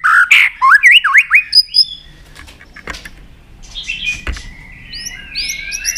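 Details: Excited White-rumped shama giving a burst of quick, zigzag whistled notes, followed by quiet stretches with knocks and faint, distant warbling phrases.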